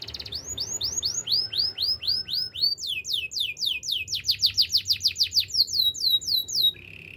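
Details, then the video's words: Canary singing a varied song: repeated downward-curving whistled notes, roughly three per second, giving way to a faster rolling run of sharp sweeping notes, then a brief steady trill to close; quiet background. "melodies canary bird sounds in the wild"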